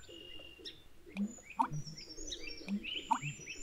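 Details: Male American bittern displaying ("pumper-lunking") at the edge of a hay field in Maine, giving deep, hollow gulping pumps in pairs about every one and a half seconds, with chattering songbirds and higher whistles around it.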